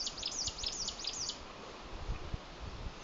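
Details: An adult Chinese leaf warbler sings on territory at Old Peak, Hebei, China: a quick series of six or seven very high, thin, arched notes over about a second, then stops, with low rumbling background noise.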